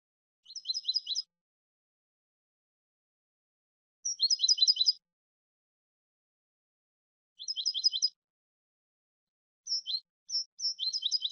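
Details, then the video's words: European goldfinch song in four short bursts of rapid, high, jingling twitters, each under a second, repeated every three to four seconds, the last broken into several quick fragments; clean background. "cante de jilguero"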